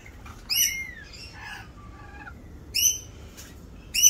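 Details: Rainbow lorikeets during mating season, performing a mating dance; sharp shrill screeches come in separated bursts, with softer descending chirps and a thin whistle between them.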